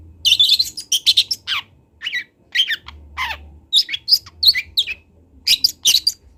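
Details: Local Kendal long-tailed shrike on a recording made to tutor young birds pours out a rapid, jumbled series of chattering chirps and scratchy notes, some sliding downward, with a faint low hum.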